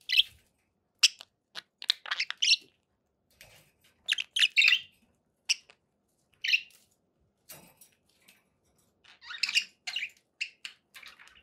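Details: Pet budgerigars give sparse bursts of sharp, squeaky chirps and scratchy warbling notes, separated by short silences.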